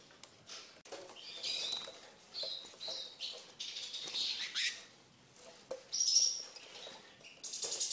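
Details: A tame caged Eurasian siskin that eats from its owner's hand twitters in high, scratchy bursts with a thin whistled note, mixed with soft flutters and rustling.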